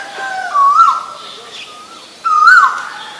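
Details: Asian koel giving two loud whistled calls about 1.7 seconds apart, each a clear note that rises and bends upward at the end, with a soft trailing tone between them and faint background birds.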